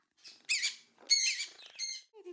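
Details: A female pet monk (Quaker) parakeet talking while the parakeets build a nest: three short, scratchy, high-pitched chattering bursts in about two seconds, like clipped mimicked words, ending with a brief lower murmur.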